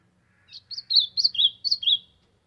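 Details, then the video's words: Ultramarine grosbeak, sertão, singing as a warm-up: a lively phrase of some seven sweet whistled syllables swinging between higher and lower pitch, over a soft low mechanical hum. "Azulão cantando pra esquentar"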